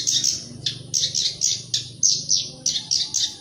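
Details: Black-browed reed warbler (sincan) song played to prompt caged birds to sing: a steady series of harsh, scratchy high chirps, about one per third of a second, with faint low hum behind.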